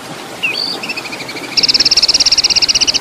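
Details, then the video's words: Oriental magpie-robin contest tutor song with long-rhythm besetan and rough kasaran phrases: a rising whistle and high sliding note, then a fast, even string of sharp, high chirps repeated about three times a second. "Masteran Murai Juara"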